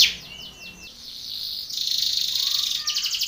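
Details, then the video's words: Belgian canary singing for contest training: three quick downward-sweeping whistles, then a brief pause, then a continuous high buzzy trill joined by a faint lower whistle and closing rapid chatter. "canary training song for contest / canto Canário belga cantando"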